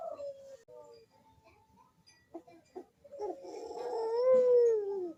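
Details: Barbary dove, cooing as a lure for lazy doves: a few soft short notes early, then one long, swelling, gently rising-and-falling coo that fills the last two seconds.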